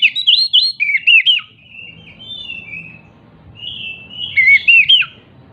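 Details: Agitated, jumping Oriental magpie-robin singing as a lure to prompt silent magpie-robins to sing. Bright whistled phrases with quick up-and-down twists come in two bursts, separated by softer sustained whistles, over a faint low hum.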